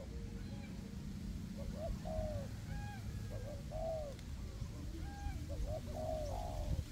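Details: A pair of decoy spotted doves, one perched aloft and one on the ground, cooing in a forest to draw in wild doves; short hiccuping notes then arched longer coos, repeated twice, with faint whistles of other birds and wind.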